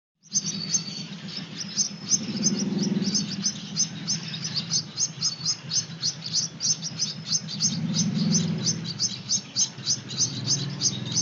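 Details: Hand-fed Gouldian finch chicks begging: rapid, high, scratchy chirps about three per second, steady through the clip, over a low humming rumble that swells twice.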